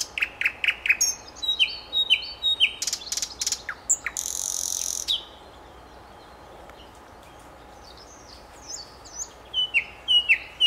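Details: Common nightingale song: loud sharp repeated notes, then a harsh buzzy stretch, a long quiet gap, and a return of short descending whistles near the end.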